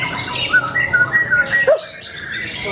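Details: White-rumped shama (murai batu), a kept bird at a bird club's 25th anniversary event, singing small-bird song material: a run of about six short, clear whistled notes alternating between two pitches, then a brief harsh squawk, over steady background hum.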